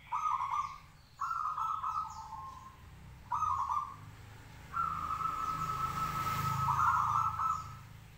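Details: A local zebra dove sings in its cage, urging other doves to reply: short trilled coos repeated about every second, then one long, sustained vibrating phrase with a low hum beneath.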